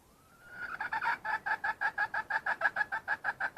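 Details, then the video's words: Wild red junglefowl hen giving a call that opens with a thin rising whistle, then breaks into a steady series of sharp, clucking notes at about three per second, clear over quiet surroundings. "Suab poj qaib qus seev zoo kaw.. Tiến gà rừng..."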